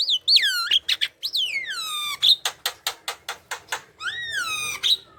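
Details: Chatty Javan myna song meant to coax reluctant mynas into singing: long whistles sliding steeply downward, broken by a quick series of dry clicking ticks, then a rising-and-falling whistle.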